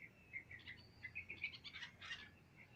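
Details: Birds chirping on an ordinary day: a busy stream of short, bright twittering notes, some clipped and some slurred, building into a denser burst of overlapping chirps before easing off.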